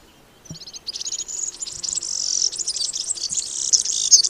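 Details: A European Serin pours out a continuous, hurried twitter of high, liquid, fizzy notes, building after a quiet opening and running on to the end.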